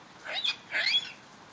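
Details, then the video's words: Pet female medium Sulphur-crested Cockatoo excited after seeing rain: two quick raspy screeches, the second longer and broader, over steady background hiss. "Cockatoo Singing In The Rain"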